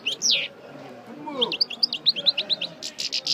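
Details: European goldfinch of the parva race, a breeding bird just out of moult, running through its song: a rapid series of bright, high twittering notes and buzzy chirps after a short downslurred opening note.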